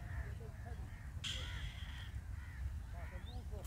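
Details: Hungry Indian robin nestlings being fed: one loud, rasping, wheezy burst lasting nearly a second, with faint softer chirps and a steady low hum in the background.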